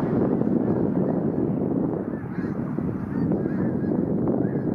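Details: Migrating snow geese, several thousand birds, gathered on and around a pond in the Township of North Dundas on their way south. Rapid, dense honking chatter, many calls per second, forming a loud unceasing din.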